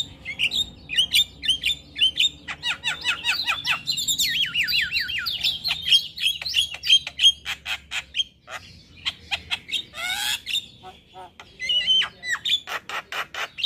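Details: Male Javan myna singing actively in the morning with full isian: a long varied sequence of rapid chirps, descending slurred whistles, clicks and a harsh scratchy burst, delivered in fast bursts with short pauses.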